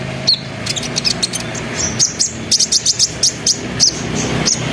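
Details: Sunbird song used as a lure to prompt other sunbirds to join in, with trilling, rolling bursts. Rapid thin, high chirps are repeated in quick clusters and grow denser midway, over a low background hum.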